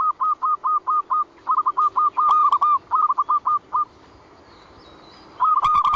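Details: Lure call of a zebra dove, a long run of rapid staccato cooing notes on one pitch, pausing briefly, then starting a fresh burst near the end.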